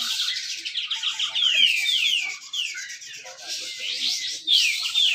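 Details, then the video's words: Caged grey-cheeked bulbul at a Malinau songbird competition delivering tight 'besetan rapet' song: series of clear falling whistled notes, a short pause, then renewed bursts of descending slurs. "cucak jenggot besetan rapet"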